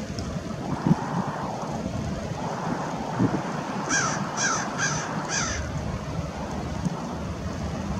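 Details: American oystercatcher calling at Fort Monroe, Virginia, on March 15, 2019: four loud, ringing, piping notes in quick succession, each rising then falling, over steady surf and wind roar.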